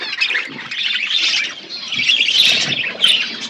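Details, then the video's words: Pet budgies eating seeds in an outdoor aviary, a flock chattering together: busy, high, scratchy warbles and chirps layered into a steady stream, with a few sharper squeaks rising above. "My beautiful budgies eating seeds in my natural outdoor aviary"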